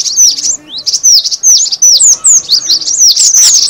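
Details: Cinereous tit calling as a lure for trapping birds, with quick high-pitched chirps that swoop downward, delivered in tight clusters about every half second, crisp and loud.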